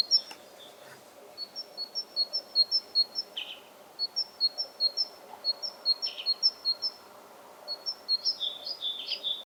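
A great tit sings bright, ringing two-note phrases, high then lower, repeated rapidly in bursts of several, teacher-teacher style, over a faint low background hum.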